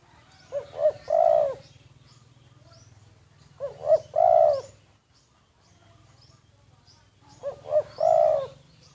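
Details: Spotted dove kept as a decoy bird, recorded covertly: low cooing phrases of two short rising notes, then a longer drawn-out coo. Phrases repeat about every three and a half seconds over a faint low hum.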